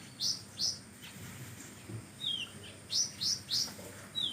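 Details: Magpie-robin in full song, its phrases filled with imitated notes: short high rising whistles in pairs and a few longer descending slurred notes, spaced irregularly over steady background hiss.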